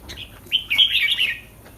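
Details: Red-whiskered bulbul in a cage, ahead of a competition, gives one rich, slurred, warbled whistled phrase lasting under a second, with a short chirp just before it.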